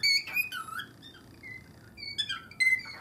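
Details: Pet cockatiels indoors giving a strange rhythmic call, started by one bird on seeing its owner's feet; a few sharp whistled notes and squeaks, a quieter gap in the middle, then more whistles.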